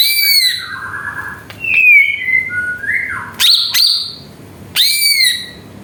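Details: Greater green leafbird song meant to provoke other birds: varied falling and sliding whistles, mimic-like phrases, with loud sharp bursts near the middle and end.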